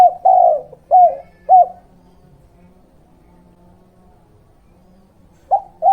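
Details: Spotted dove (derkuku/tekukur) lure recording in the 'kuk 2' cooing style, used to attract wild birds and train young birds: a long mellow coo followed by two short coos, a pause of nearly four seconds, then two more short coos.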